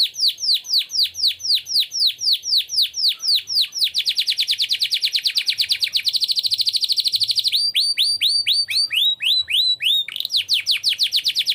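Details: Domestic canary in constant-singing 'gacor' form, song in the ornate 'cengkok mewah' style: quick series of high descending whistled sweeps, a dense rapid trill, then rising sweeps and repeated notes, with no other sounds.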